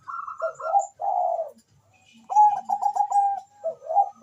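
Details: Bangkok-type zebra dove singing melodiously to stir mating and singing; warbled double coos, a brief pause, then a rapid stuttered trill and closing gurgled coos.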